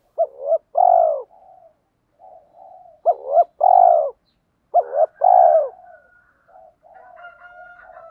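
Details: Decoy spotted doves, males and females, giving fighting-provoking coos: three phrases of two short notes and a long loud coo in quick succession, then softer cooing with a faint steady tone at the end.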